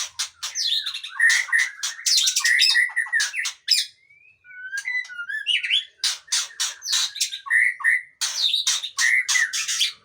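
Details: Long-tailed white-rumped shama (Murai Aceh) pouring out a busy song of rapid scratchy bursts and bright whistles, broken by a short quiet run of pure sliding whistled notes before the loud chattering phrases resume.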